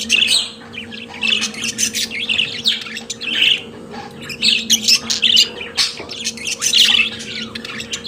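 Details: Caged pet budgerigars singing, a lively run of chirps, squeaky tweets and rough warbling notes in uneven bursts, with a low constant hum behind them.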